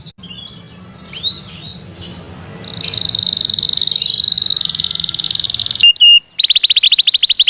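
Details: Canary singing in a recording used to train other birds: a few separate slurred notes, then a buzzy, sustained rattling trill, a brief break, and a quick rolling trill of high repeated notes.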